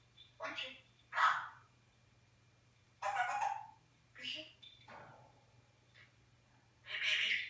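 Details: Eclectus parrot kept indoors, talking in English and Flemish, 21 January 2015; scattered husky, squawk-edged word fragments, about six bursts separated by short silences.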